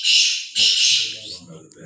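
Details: Black francolin kept as a lively household pet: two loud rasping squawk bursts, then quieter low murmuring sounds, possibly voices, in the background.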